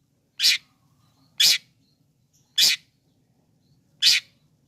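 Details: Long-tailed shrike played to provoke other shrikes into calling: four loud harsh rasping bursts, evenly spaced about a second apart, over quiet low hum.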